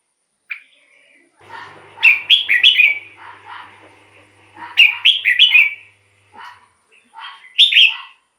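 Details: Red-whiskered bulbul decoy song meant to attract wild birds and excite caged birds: lively, warbling whistled phrases of several quick notes over a faint low hum, with softer single notes in between.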